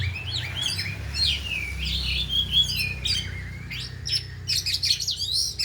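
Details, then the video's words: Oriental magpie-robins, four birds in an afternoon training session singing together and unloading their repertoire: a long wavering whistled phrase rising and falling, followed by rapid dry chips and tweets, low rumbling hum in the background. "Latihan Kacer di Sore Hari Biarpun Hanya Burung 4 Tapi Jalan Semua dan Bongkar Isian"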